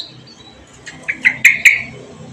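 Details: Bird kept at home, singing continuously to keep a Javan grey-throated white-eye company: a short run of sharp chirps, several quick notes growing louder and closer together, over a quiet background.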